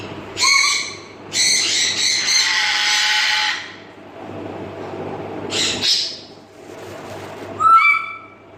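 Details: A pet pair of Grey parrots at home: a loud harsh screech, a long rasping squawk, then a falling whistle and a short clear whistled note near the end.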